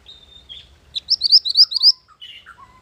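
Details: Lure and training song of a mantenan gunung bird: a thin steady whistle and buzzy note, then a quick burst of about seven bright rising notes, followed by a few falling chirps against quiet low hum.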